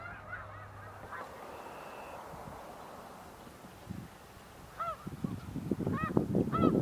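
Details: Snow geese in Canada during spring migration, 26 April 2015, flying from water to feeding fields at sunrise; a distant chorus gives way to close, clear nasal honks in quick irregular succession over rushing, fluttering noise.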